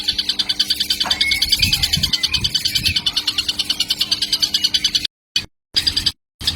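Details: Baby kingfisher calling nonstop, used as a lure recording for cage birds; a dense run of shrill, raspy chirps, roughly three per second, with one brief rising whistle early on, a low background hum, and short dropouts of silence toward the end.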